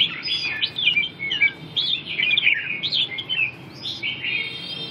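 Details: Red-whiskered bulbul in a 'ballet dance' display sings lively, warbled phrases of swooping whistled notes, about two bursts a second, uneven in rhythm, with a soft low hum beneath.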